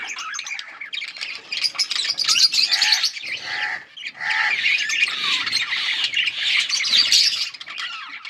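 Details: Yellow budgerigars on August 20, 2024 give fast, uneven chatter of scratchy warbles, buzzy squawks and short tonal chirps, several birds calling together with a brief dip in the middle.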